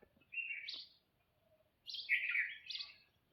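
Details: In the morning, a Red-vented Bulbul, possibly a female, among a flock gathering straw for nest building gives bright, bubbly chirped phrases: one short burst, then a longer rolling one about a second later, over faint background noise.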